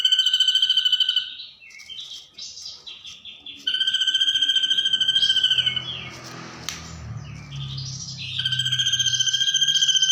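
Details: Ashy drongo imitating a kunti ghost: long buzzy, rapidly pulsed whistles held at one high pitch, separated by descending wavering phrases and a brief low rumbling passage.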